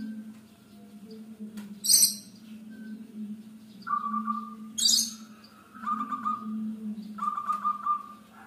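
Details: Three short rolling phrases of quick, bubbly cooing notes from a local zebra dove, spaced a second or two apart. Sharp high chirps of other birds break in twice, over a continuous low hum.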